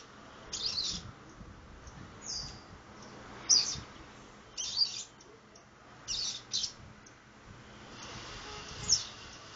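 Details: Young seedeater, 60 days old, learning the do-re-mi song style. Thin, high chirps and short squeaky phrases come in scattered bursts every second or two, over steady background hiss and faint low rumbles.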